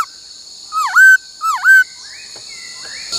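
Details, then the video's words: Laughingthrush in song training, giving two similar loud whistled notes that dip sharply then rise, about half a second apart, followed by softer faint calls, with steady background hum. "Luyện khướu hót bắt cô trói cột , luyện hót nhiều giọng cực hay"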